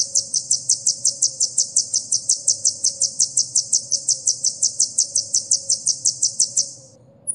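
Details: Sunbird, kolibri ninja, in a filler-song recording used to train caged songbirds: a very high, rapid trill of sharp chipping notes about 2.5 per second, steady for seven seconds before stopping, then a brief squeak.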